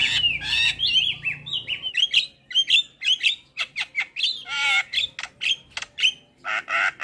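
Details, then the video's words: Starling song for training birds: lively mix of sliding whistles, harsh squawks and rapid chatter, ending in a few loud raspy notes. "MAsteran & Pancingan Segala Jenis Burung Jalak Wajib Langsung Buka Suara"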